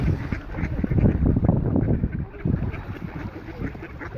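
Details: Hungry mallards in Gustavsberg harbour, being fed bread, give low, overlapping quacks and muttering chatter, about four bursts a second, over a steady watery background murmur.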